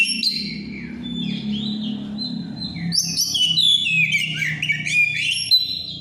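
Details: Caged songbird in heavy breeding condition, singing in the plain, open style called ngeplong: a rich run of whistled, sliding notes and quick chirps high in pitch, rising and falling, over a steady low electrical hum.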